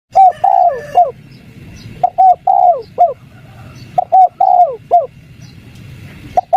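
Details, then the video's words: Spotted dove (tekukur) giving the 'kuk 3' coo style, used as a lure to make wild doves call back: mellow, hollow phrases of short coos around a long drawn, falling middle note, repeated about every two seconds over soft low hiss. "PANCINGAN DEKUKUR KUK 3 | BURUNG TEKUKUR LIAR MALES BUNYI LANGSUNG NYAUT"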